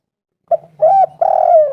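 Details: Spotted dove cooing, a sound used to lure other spotted doves into calling: a short low coo, then a longer hoarse coo, then a drawn-out wavering coo that falls at the end, in quiet surroundings.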